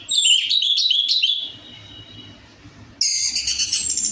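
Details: Orange-headed thrush song used as a lure for a caged bird that is slow to sing: a burst of rapid, jumbled whistles, a quiet gap with faint hum, then a high bright phrase.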